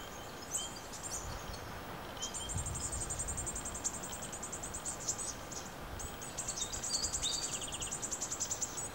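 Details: Brown-headed honeyeaters, a family group in the You Yangs west of Melbourne that plucks koala hair for nest lining, give high, thin chattering calls in quick, rattling runs over steady outdoor hiss.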